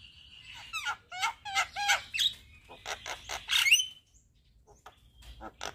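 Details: Javan myna singing with head bobbing and plenty of fill phrases: a low buzzy drone, then a burst of squeaky, twangy chirps building to a grating climax, followed by a quiet gap and a few soft clicks.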